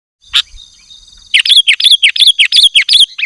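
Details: Loud sooty-headed bulbul song, used to lure wild bulbuls and provoke rivals into singing. One sharp note comes first, then a quick series of about ten bubbly, clear notes that dip and rise, roughly three per second. A faint steady whine sounds behind.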